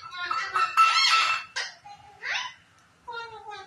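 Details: Pet Indian ringneck parakeet talking indoors: a rapid jumble of harsh, speech-like raspy syllables with squeaky tones, then after a brief pause a steady nasal, slightly falling note.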